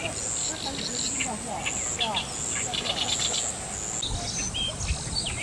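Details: Two fairly grown Common Moorhen young, out with their parents, call often for them on moving a little away from home; short high peeps and thin chirps scatter irregularly over a steady high insect hum and low background noise.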